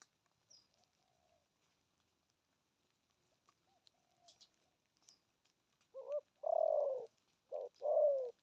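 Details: Spotted dove performing 'gù thúc' cooing: quiet, with faint soft scratches at first, then a loud burst of hollow coos, a short note and a long falling one, repeated twice.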